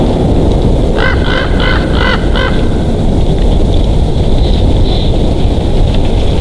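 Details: Bald eagle at a nest in Big Bear Valley, 3 March 2023: a short run of five clipped, harmonic chattering notes over about a second and a half, then softer faint notes, all against strong steady low wind-like rumble.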